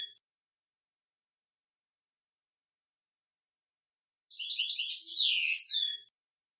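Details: Male European goldfinch singing to teach a young goldfinch; after about four seconds of silence, a short burst of fast, tinkling, twittering notes with high buzzy trills lasting under two seconds.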